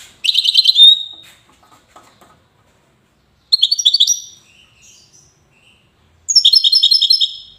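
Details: Widani-style song of a European goldfinch in the city of Safi, Morocco: three loud bursts of rapid, tinkling, buzzy notes, each about a second long, with silent gaps between them.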